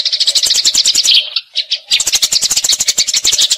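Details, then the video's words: Eurasian tree sparrows fighting with a long rolling chatter of bright, closely packed chirps, broken by a short pause midway, with a constant faint hum. "Gereja Tarung Ngeroll Abis"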